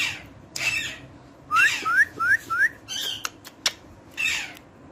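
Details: Talking parrot squawks, then gives four short upslurred whistles in a rapid row, followed by more squawks and sharp clicks.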